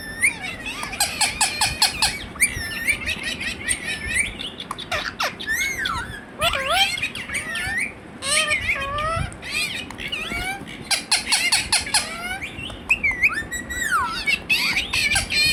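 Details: Pet Indian ringneck parakeet, a talking bird, giving dense bursts of sharp squawks and quick chirps, with some rising and falling whistled slurs. People laugh and talk nearby.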